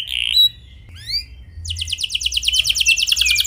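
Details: Canary singing a clear rolling song used to prompt other canaries: a short high note and a few rising chirps, then a fast, dense trill of repeated notes building through the second half.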